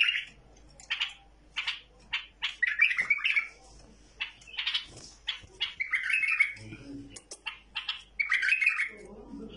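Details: Tame bulbul alternating quick chirped notes with longer melodious warbles, with faint low background sounds near the end.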